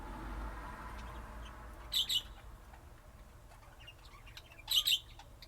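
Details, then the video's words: Lovebirds giving two short, shrill chirp bursts about three seconds apart, each a quick double note, over a quiet low hum. "طيور الحب"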